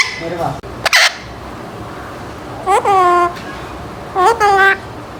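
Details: Indoor pet Alexandrine parakeet aged eight months attempting early speech: faint low mumbling, a sharp click, then two separate falling, harmonic-rich whistled phrases each followed by a brief level tone.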